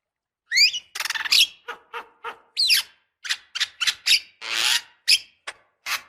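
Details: Javan myna lure sounds: two upward-sweeping whistles opening a string of short dry rasps, clicks and scratchy notes spaced irregularly, with one longer hissing burst near the end.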